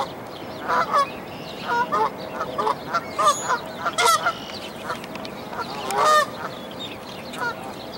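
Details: Canada goose at a dead-tree nest in Dufferin Islands with five goslings about 1-2 days old that jump from the nest to follow the mother, giving short nasal honks in irregular bursts over steady background hiss and louder knocks.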